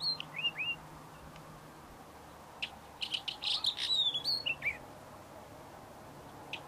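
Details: Buff-streaked chat: a pair of rising whistled notes, then after a pause a quick burst of sharp chirps and thin squeaky whistles, ending in one last chirp, over a steady low hum.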